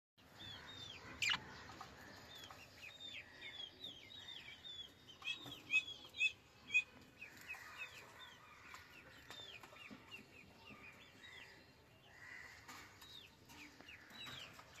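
Budgerigars chatter in quick, squeaky chirps and warbled notes that tumble over one another without pause.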